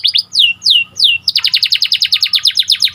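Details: Canary of the panda colour variety singing three loud falling whistles followed by a rapid, even, buzzy rattle of repeated notes; clean and close.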